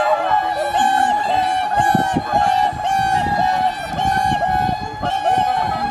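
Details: Swan flock greeting the morning at Kotoku-numa pond in Japan: a constant nasal drone of honks layered with rhythmic trumpeting calls repeating roughly once a second.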